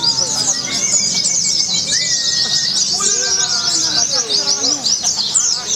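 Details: Pleci, a white-eye, performing at a bird song contest in Semarang, Indonesia, in sustained rapid 'nembak' song: a ceaseless shrill twitter, layered with competing birds, a few long whistles and a murmuring crowd.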